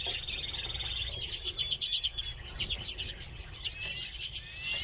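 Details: Captive redpolls: a rapid, even trill opens, followed by a busy, overlapping twittering of high chips and short buzzes.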